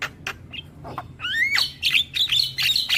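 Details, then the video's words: A Javan myna sings for young birds in training: a few clicks, then rising whistled slides leading into a loud, buzzy, chattering warble. "Masteran Burung JAlak Kebo Muda Agar Cepat GAcor Manggut Manggut"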